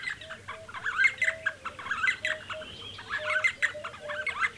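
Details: D'Arnaud's barbets calling near Lake Baringo: overlapping rattling, chirpy notes in quick bursts, accompanied by short flat whistled tones, with the group's chorus swelling and fading.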